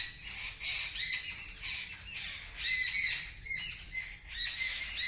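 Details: Several birds scream loudly as a kitten watches them. Harsh, high squawks come in uneven bursts roughly every second, each a cluster of overlapping shrieks, with quieter chattering between the bursts.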